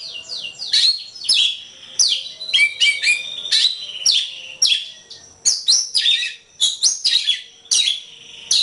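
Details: White-rumped shama in full song for training other songbirds, varied high whistles, downward slurs and chattering bursts repeated in quick succession with short pauses.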